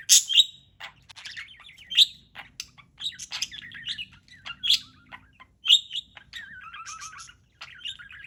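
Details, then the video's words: Parrot chirping while playing: busy run of sharp chirps and squeaky notes, mixed with wavering trills and a few falling whistles, near-continuous over eight seconds. "Bird Playing with Chirping Sounds"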